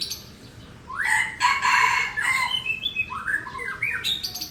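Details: F1 pikat decoy junglefowl from Aceh crowing: a hoarse, strained phrase starting with a rising note, swelling into a harsh harmonic burst near the middle, then breaking into stuttering upward-sweeping syllables that trail off.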